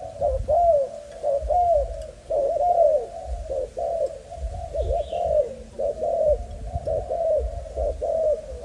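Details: A young male Malaysian spotted dove, broken-winged yet vigorous, gives a steady run of low hollow coos. Each coo swells and dips, repeated about once a second over faint background rumble.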